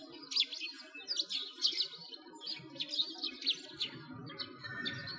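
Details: Winter chorus of sparrows near a frozen lake in Moscow's Bratislavsky Park, Russia, 2022: quick, squeaky chirps in bunches of two or three, rising and falling in loudness, with low rumbling ambient noise.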